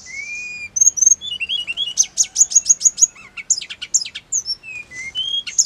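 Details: Hill blue flycatcher song, played to make caged birds answer: a steady low whistle, then a rapid series of very high sharp notes and sliding whistled phrases, loud and varied throughout.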